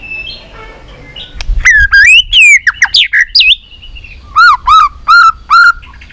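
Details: White-rumped shama singing a competition fighting song: loud varied whistled notes sliding up and down, then four strong rising-falling whistles repeated evenly.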